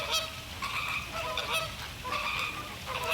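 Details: Flock of American flamingos (Phoenicopterus ruber), Caribbean, during a mating dance and courtship ritual: nasal, goose-like honks, overlapping and repeated more than once a second, with no other clear sounds.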